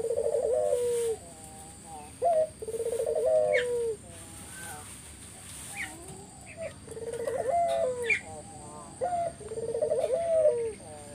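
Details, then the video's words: Dove song played to make other spotted doves reply: four phrases of a quick rising note and a vibrating trilled coo falling at the end, with faint chirps from other birds between phrases. "Burung puter mana yang ga ikut nyaut kalo dengar GACORAN puter ini"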